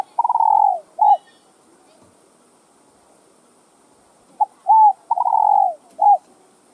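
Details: Cooing of a spotted dove, meant to stimulate other doves: a drawn-out falling coo and a short note, a silent gap, then a quick run of brief coos ending in a longer falling phrase and a final short coo.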